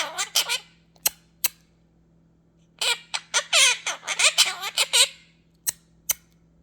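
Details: A pet quaker (monk) parakeet indoors gives bursts of harsh squawks and chattering, speech-like phrases while its owner sings "If you're happy and you know it" and praises it.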